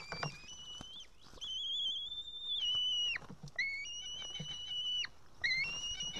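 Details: Young female white-tailed eaglet begging on its nest in Estonia, 8 June 2018, evening, unable to cut a fish and calling for the adult to feed her. Sustained high whistled cries, several seconds each, ending in abrupt downward breaks.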